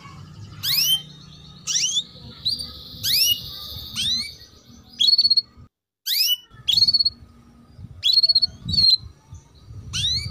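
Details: Female canary 'cuit cuit' chirping, used as a tutor to get young canaries singing fast; about ten bright rising chirp bursts, some with short trills, separated by a brief silent break midway, low hum beneath.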